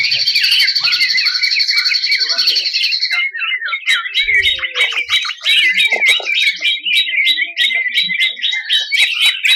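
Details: Greater green leafbird, a 2021 national champion contest bird, in a tutor recording of harsh 'tembakan' bursts: dense, fast, twittering phrases with a steady high whistle in the first three seconds, then rapid chattering notes.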